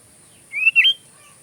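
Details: Sooty-headed bulbul (kutilang) giving one short, liquid whistled phrase, rising then dipping, as filler song for magpie robins; faint hiss in the background.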